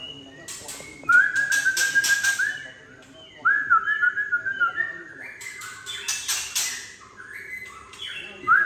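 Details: Tangse white-rumped shama rough 'trek' call, used to work up young birds: alternating volleys of harsh chacks and level buzzy trills, with stepped whistled notes between them.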